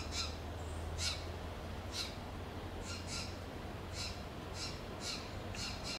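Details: Steller's Jays give harsh, raspy shack contact calls about once a second in Monterey pine forest in the Del Monte Forest, over a steady low rumble.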